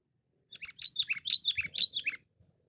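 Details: Loud, chatty cengkram sooty-headed bulbul recorded as a lure sound: a lively phrase of roughly nine rich, liquid notes, alternating higher chirps and lower downslurred whistles, lasting under two seconds against a quiet background.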